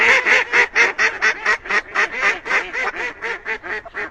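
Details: Nonstop duck quacking: harsh, nasal calls repeated about twice a second in a rough, even rhythm.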